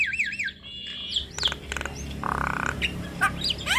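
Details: Javan myna song used to train young mynas, in the long rolling style: looping wavy whistles, clicks, a harsh buzzy rattle, then short rising squeaky whistles.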